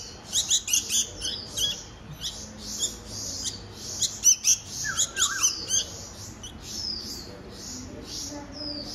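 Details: Baby bulbuls at a hand feeding squeal in dense bursts of high chirps, then a few downslurred whistles, then quieter, scattered squeaks.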